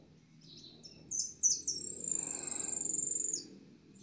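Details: A yellow goldfinch, called jilguero amarillo, whistling at length: a few sharp high chirps, then a long, even, very high trill that holds steady for more than a second before ending in a falling note, over a faint low rumble.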